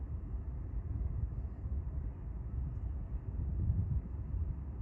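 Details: Steady low vehicle or engine rumble fills the recording outdoors, with no animal calls.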